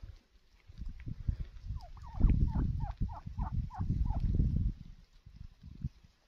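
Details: Wild turkey (Meleagris gallopavo) gives a rapid, rattling gobble of about nine quick notes over two seconds, under a heavy low rumble of wind.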